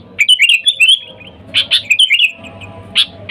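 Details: Sooty-headed bulbul calling wild companions as a lure for bulbuls: a long tumbling run of whistled notes, then loud chirps leading into another warbled phrase and a final chirp.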